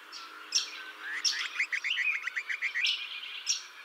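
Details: Juvenile grey butcherbird in a garden it holds as territory, at a fountain answering other territorial calls: a quick run of about eight warbled whistles, mid-pitched and evenly spaced, mixed with sharp high chirps from other birds.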